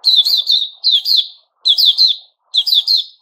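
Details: Puteh Raja, the white-crowned shama, growing new feathers in September 2021, delivers four brisk bursts of song, each a cluster of rapid fluted notes dipping and rising, spaced roughly a second apart against a quiet background.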